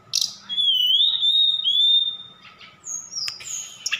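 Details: Javan bush lark from Sukabumi, Indonesia, whose song includes imitations of cililin and sikatan londo. It gives a long, steady, slightly wavering whistle lasting over a second, followed by high thin notes and a sharp click, with a low background hum.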